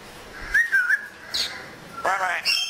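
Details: African grey parrot kept as a pet, enjoying the weather, gives short whistled and squeaky calls: a wavering whistle, a brief high squeak, then a louder harsh burst and a final high note.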